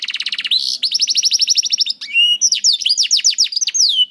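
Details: Training song for juvenile canaries slow to sing, from a caged canary: opens with a fast dry trill, shifts to a steady run of rapid repeated notes, then sweeping downslurred whistles and a brief low buzz, clean with no other sounds.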